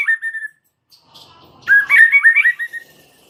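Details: A single white-rumped shama singing with full variety: a clear whistle, a quiet pause, then a loud, fast rippling phrase of wavering whistled notes that fades out.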